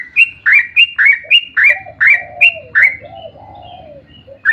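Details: Yellow-vented bulbul delivering a long, rapid song meant to lure other bulbuls into singing: a quick string of about nine bright, clipped whistled notes over a softer, lower rolling warble.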